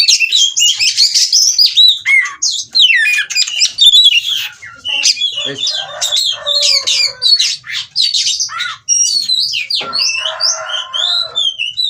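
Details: Oriental magpie-robin in breeding condition singing 'ngobra' with loud, varied, fast phrases of sliding whistles, harsh squawky notes and repeated upswept chips over twelve seconds.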